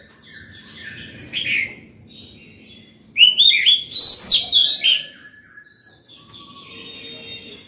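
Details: Oriental magpie-robin in full fired-up song at morning, calling birds and tutoring young birds: quiet whistles, then a loud two-second burst of rapid, varied whistled notes, trailing off into soft, buzzy chatter.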